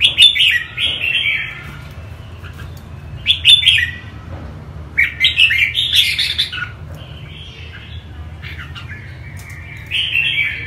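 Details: Northern Vietnamese red-whiskered bulbul song: lively, bubbling warbled phrases of rich whistled notes, delivered in bursts separated by short pauses across the recording, with faint low background hum.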